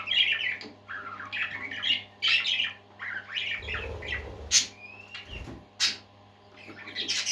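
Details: Parakeets singing indoors: dense warbling chatter of rapid chirps and squawks with buzzy notes and short rising whistles, steady low hum underneath, a few clicks and thumps.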